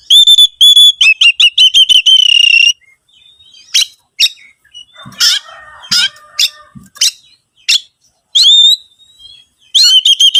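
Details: Oriental magpie-robin song used as a lure to make other birds sing: a bright run of rapid repeated whistled notes, then scattered harsh buzzy bursts and sharp chips, ending in clear whistles.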